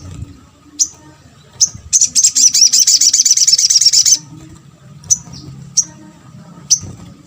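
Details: Sunbird (sogon) used as a lure for other sunbirds: isolated sharp high chips, then a rapid high buzzy trill of about two seconds, followed by more single chips spaced roughly a second apart.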